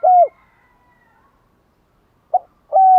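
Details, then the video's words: Spotted dove cooing in the morning, meant to stimulate caged doves; a single falling hoot, a long silence, then a short note and the start of a steady coo. "Tiếng chim gáy bài bản gáy buổi sáng"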